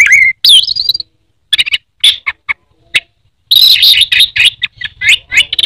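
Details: Orange-headed thrush, known in Indonesia as anis merah, opens with a wavering whistle and a warbled trill. Sparse sharp chips follow, then a dense, hurried run of twittering notes.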